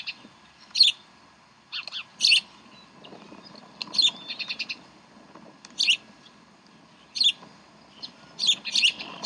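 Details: Decorah nest, 11 April 2012, with the chicks being served brunch. Bald Eagles give loud, high, piercing notes followed by quick stuttered pulse series, in bursts every second or two with short quiet gaps.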